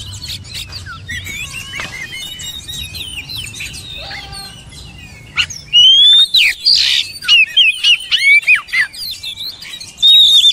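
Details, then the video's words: Oriental magpie-robin singing a varied run of whistles and chirps, quiet and scattered at first, then loud slurred whistled phrases in rapid bursts during the second half, with light background noise. "DENGAR KICAUAN JOSS INI"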